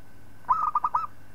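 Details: Local zebra dove singing as a master bird for training others; one brief phrase of about five bubbling, rounded coos delivered in quick succession, with a soft hum in the background.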